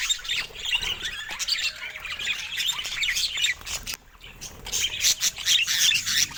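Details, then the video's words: Budgerigars in the morning giving dense, busy warbling chatter of squeaky chirps, high twitters and short harsh squawks, overlapping continuously from several birds, with brief quieter gaps. "Peaceful Morning with Budgies – Nature’s Alarm Clock"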